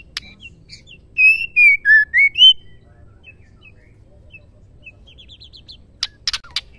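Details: Caged female white-rumped shama used to stir male shamas into singing; a brief note, then four loud rich whistles sliding down and up, followed by soft high chips speeding into a fast twitter and ending in sharp harsh bursts.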